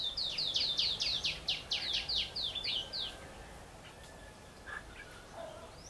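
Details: Red-whiskered bulbul at a bird-trapping session on 17 March 2016, where decoy birds call in wild ones. A fast run of about fourteen bright, sharply falling chirps over three seconds, then quiet with faint distant notes.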